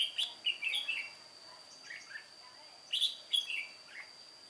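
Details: Old decoy red-whiskered bulbul of the white-cheeked type singing solo at a trap, 1 July 2018; two bright phrases of three or four quick warbled notes, about three seconds apart, over a steady high electronic-like whine.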